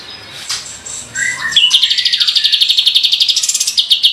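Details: Kapas tembak bulbul in full voice, a lure recording meant to provoke birds: soft scattered notes give way to a rapid, steady rattling roll of high clipped notes lasting over two seconds.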